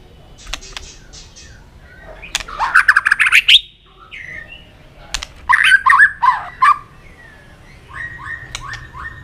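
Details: White-rumped shama singing competitively: bursts of dense, varied chattering notes separated by short pauses, with a few scattered clicks and soft whistles.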